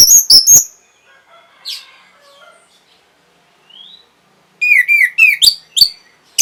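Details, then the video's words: Orange-headed thrush song to boost breeding urge and prompt an answer: three piercing high notes, soft scattered chirps and a rising whistle, then a rapid cascade of clear, down-slurred whistled notes. "NYANYIAN BURUNG PUNGLOR PEMBANGKIT BIRAHI AGAR KENCENG YANG PASTI 100% BAKAL NYAUT"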